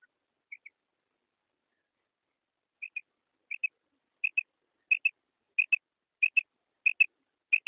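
Female common quail giving soft, high paired notes, about one pair every second and growing louder, with no other sounds.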